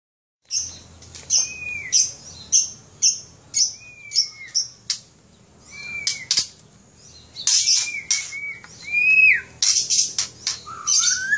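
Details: Caged white-rumped shama kept in Aceh, Indonesia: varied song of short high chips alternating with clear whistled notes that slide up and down, delivered steadily with brief pauses.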